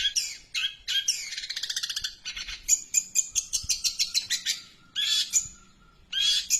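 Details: Long-tailed shrike delivering a very long song of harsh scratchy phrases, fast rattling trills and high thin whistles, with short gaps between bursts and a faint steady hum underneath.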